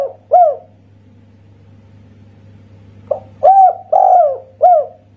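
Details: Spotted dove, 'kuk satu' song type, local Indonesian bird: one soft coo, a quiet gap, then a phrase of short lead-in note, rising coo, long sustained coo and a final coo, against a low background hum.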